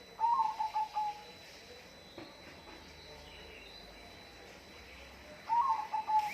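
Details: Bird calling twice, each a short whistled phrase of quick warbling notes that settle into a few evenly spaced level whistles, separated by about five seconds of quiet background hiss.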